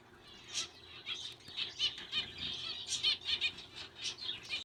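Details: Zebra finch (Taeniopygia guttata), song.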